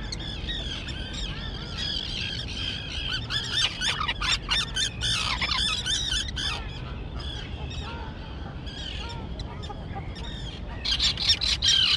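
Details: Fledged young terns in an island colony grown over with dense grass. Clusters of sharp, grating calls rise and fall in waves, thinning midway, then a loud renewed outburst at the end.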